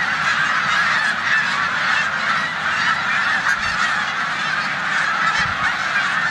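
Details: Spring-migrating snow geese in a corn field on Olmstead Road, Savannah, New York, March 2020; overlapping high-pitched honks form a ceaseless chorus, with a couple of soft low thuds.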